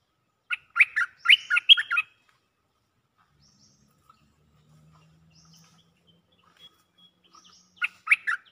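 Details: Cream-vented bulbul in mating call: a loud run of bubbly, warbling chatter, a quiet pause with faint whistles and a low hum, then the chattering phrase starts again.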